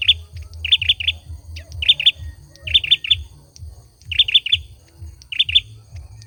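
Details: Male olive-backed sunbird singing: tight bursts of three or four high, sharp chirps, each burst about a second apart with short gaps, over a steady low rhythmic thumping.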